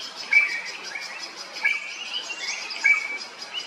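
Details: Drongo in Kerala, India, uttering sharp, piercing whistles at intervals of about 1.3 seconds, woven among softer twittering notes and a rapid chatter.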